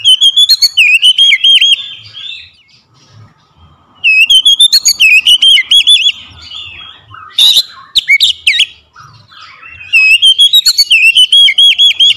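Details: Oriental magpie-robin lure song to prompt a quiet bird: bursts of loud whistled trills and sharp rising notes, repeated every few seconds, with a couple of harsh scratchy notes and soft background chatter.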